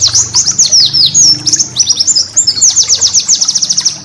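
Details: White-eye (pleci) master song used for training cage birds: a dense run of very high, sharp chirps and quick downslurred whistles, with short rattling bursts in the middle and a fast string of ticking notes at the end.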